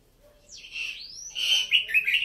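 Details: Red-whiskered bulbul of Vietnamese and Uttaradit, Thailand, lines: a clear whistle slurring down then rising, followed by a bright, rapid warbled phrase of rich fluty notes in a quiet setting.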